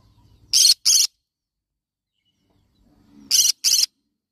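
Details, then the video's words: Yellow-sided conure, a parrot, giving harsh broadband screeches in two pairs, each pair of short bursts about a quarter second apart, the pairs separated by nearly three seconds of silence. "Yellow sided conure parrot bird sound"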